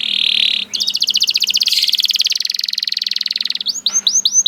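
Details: A buzzy canary note leads into a long, very fast rattling trill, followed by a few loud rising swoops, over a low hum.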